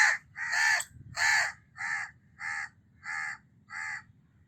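A house crow gives seven harsh, nasal caws, the first three louder and longer, then four shorter ones at a steady pace, about one every half second; low background rumble.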